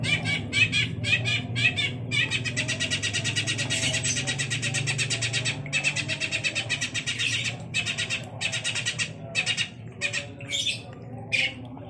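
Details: Active song of a long-tailed shrike, a fast, grating chatter of rapid harsh notes running in long unbroken bursts, then breaking into separate short phrases toward the end, over a low background hum.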